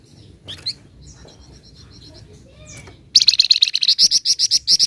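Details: Flamboyan bird singing in the rapid rolling ngebren style with nyecret chirps: faint scattered chirps at first, then a sudden loud train of about nine sharp, high, evenly spaced notes in quick succession.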